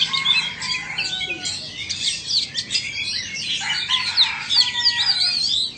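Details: Oriental magpie-robins from Vietnam and Indonesia sing against each other, mixing steady whistled tones, scratchy notes and sharp high chips in an unbroken, overlapping stream.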